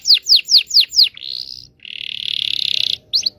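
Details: Indonesian local canary, song used to teach young birds to sing: five loud falling whistled notes, a thin rising whistle, then a long fast buzzy trill and a final short chirp.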